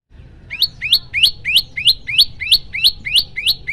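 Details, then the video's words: A common tailorbird (Orthotomus sutorius), or Ashy prinia, repeats loud, sharp upslurred chips in its varied "shooting" song, about three per second, in a steady run of a dozen notes; faint low background rumble. "prenjak lumut gacor suara tembakan keras"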